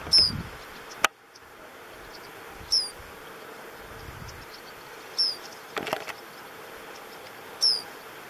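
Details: A single White-browed meadowlark calling at Puente Romero, Gorchs, Buenos Aires Province, on 4 February 2017: four short, high, sharp downslurred notes spaced about every two and a half seconds, with a faint low rumble and a couple of clicks between them.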